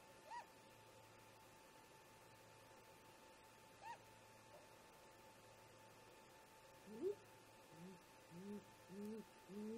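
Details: Great grey owl parents chatting at their snag nest around 04:25 in the early morning, recorded by a nest camera: two soft rising whoops, then a deep, low hoot series builds up and repeats steadily toward the end.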